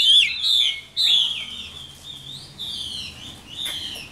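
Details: Caged Chinese hwamei, wild-caught when mature, giving a few strong whistled phrases, each starting with a sharp high slur and fading into softer warbling, separated by short gaps.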